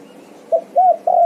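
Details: Spotted dove; coo call; answering another dove's call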